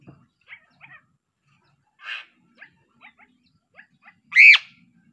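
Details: Piping Crow, the Sulawesi crow, giving soft, clipped notes spaced irregularly, a short rasping burst, then one loud, high, arched piping cry near the end.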